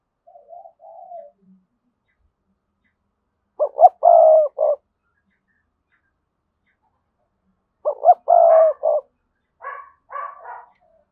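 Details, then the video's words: Strong-voiced decoy spotted dove: faint soft coos, then two full phrases of clipped notes, a long low coo and a short final note, followed by a few slightly higher, shorter notes. "Tiếng cu gáy mồi chuẩn, con mồi có giọng thúc hay và sung"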